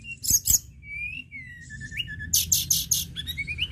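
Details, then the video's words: An actively singing Sunda robin gives sharp clicks, then smooth sliding whistles falling in pitch, then a rapid buzzy repeated phrase and rising whistled notes, against faint low hum. "TLEDEKAN GUNUNG GACOR"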